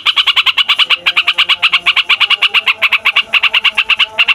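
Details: Yellow-vented bulbul, a fighter type, in a continuous rolling song meant to stir up other songbirds: fast, ringing, evenly repeated notes, with a few tiny pauses.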